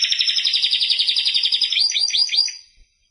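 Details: Timbrado canary producing a rich rapid rolling trill that ends in several quick down-slurred notes before fading out.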